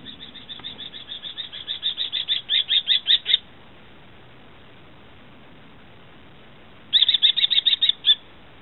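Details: Common kestrel chicks calling on 13 July 2013: a rapid run of about twenty sharp, high repeated notes that grows steadily louder, then a pause of several seconds and a second shorter burst of loud piercing notes, over steady background hiss.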